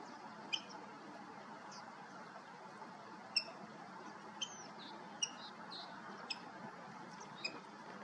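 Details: A Water Rail (Rallus aquaticus) in Estonia gives sharp, high, clicking kik notes, spaced irregularly about every one to two seconds, over a steady background hiss.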